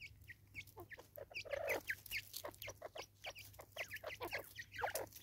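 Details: A single female Natal spurfowl in South Africa in 2024 giving its raucous call: a rapid run of harsh, scratchy cackling notes, pulsing loud and soft for five seconds, over a faint low hum.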